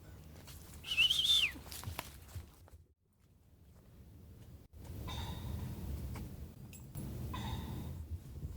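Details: A common pheasant, upslope on a valley side in Cotswold woodland, Gloucestershire, in late September, gives harsh, ringing alarm notes in two bursts after a brief whistled note, not alarmed by walkers far below; footsteps and outdoor rumble underneath.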